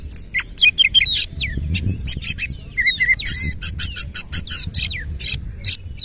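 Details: Oriental magpie-robin (kacer) performing lively 'nembak ngerol' song with tail spread; dense bursts of harsh buzzy notes alternate with quick whistled trills and slurred phrases, with a steady high ringing tone mid-phrase.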